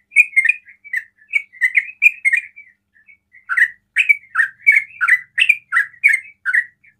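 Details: Sooty-headed bulbul singing the rapid 'ropel' style said to provoke other bulbuls to call; chattering warbles, a short lull, then louder, steadily repeated rolling chirps.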